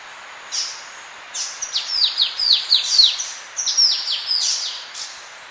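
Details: Orange-breasted honeyeater song at close range, a rapid series of high, thin descending whistled notes in quick bursts, with calls of a Polynesian triller also present in the recording.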